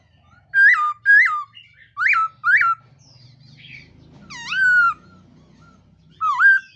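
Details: A black-throated laughingthrush sings in the morning to train its voice, giving paired bright whistles that rise then drop, a long downslurred note, and a final swooping phrase over a low background hum.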